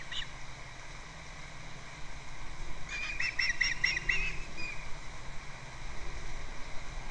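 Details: Osprey at its nest on Captiva, recorded by a nest camera on February 2nd, giving a quick run of about five sharp, high chirps packed into under two seconds, with a steady low rumble beneath.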